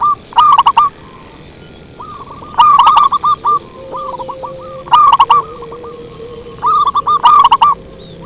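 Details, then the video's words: Zebra dove song for luring: four distorted, very loud phrases of quick stuttering coos, one about every two seconds, with quieter answering coos between them. "Suara Merdu PIKAT PERKUTUT SANG RAJA"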